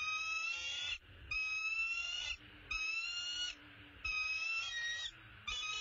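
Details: Male bald eagle carrying an opossum to the nest; five long, piercing, harmonic calls lasting about a second each, steady in pitch and fairly regularly spaced, with low murmuring noise underneath.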